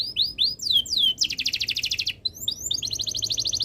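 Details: Canary in breeding condition singing, used to prompt other birds to sing: high whistled downslurred notes, then rapid buzzy trills of repeated notes, a short pause and another fast rolling trill.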